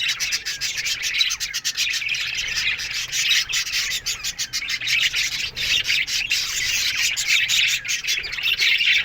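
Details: Australian budgerigars in an aviary colony in the morning, a dense, continuous chatter of many birds: overlapping high chirps, warbles and short squeaky notes with no pauses, forming a steady bright twittering throughout.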